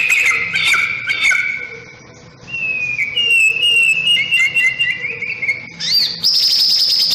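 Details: Caged white-rumped shama sunbathing in the morning, used as a tutor recording: long clear whistled notes sliding between pitches, a few sharp chirps, then a high steady whistle near the end; faint low hum underneath.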